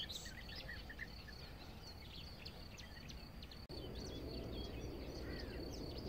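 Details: Several European bee-eaters (Merops apiaster) at Savica Ornithological Reserve, Zagreb, Croatia, on 25 May 2018 call in short, rolling, liquid 'prruip' notes, overlapping several times a second, over a steady low rumble of wind or distant noise.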